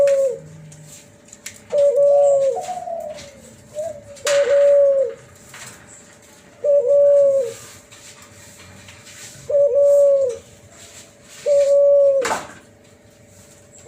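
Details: An F1 hybrid of a spotted dove and a ringneck dove (Kelantan "cuhu" with a "flute" voice) gives low, even, flute-like coos about a second long, repeated every couple of seconds, with a few sharp clicks and knocks between.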